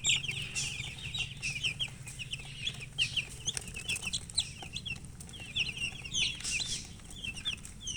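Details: Colored hens chirping, with many high, short peeps tumbling over one another in a steady busy chatter for several seconds, plus soft clicks and a low background hum.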